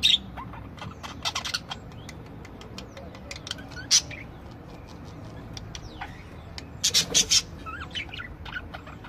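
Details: Several budgerigars singing together: scattered sharp clicks and ticks mixed with short, thin rising whistles and chatter, with louder bursts of clicking near the start and again toward the end.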